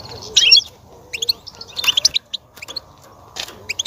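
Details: European goldfinch singing to stimulate a female to mate and breed: short bursts of bright, high twittered notes separated by brief pauses, with a faint low hum underneath.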